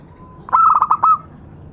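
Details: Local zebra dove lure call: a soft drawn note leading into one quick phrase of five or six pulsed, slightly rolling coos at steady mid pitch, then silence.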